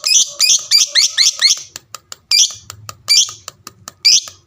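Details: Fighter lovebird in its ngekek display to draw answers from other lovebirds: a quick burst of five or six harsh chirps, followed by spaced rasping squawks, clicking sounds and a low murmur in the background.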